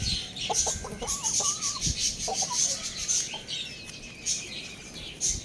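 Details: Young Lohmann Brown roosters, playing and eating, give short, squeaky, wavering crow attempts and a few soft clucks over a steady high-pitched hiss.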